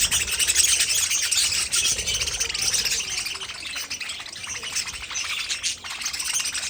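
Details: Continuous budgerigar chatter: quick, scratchy chirps repeated about three times a second, blended into a bright warbling wash that fades slightly near the end.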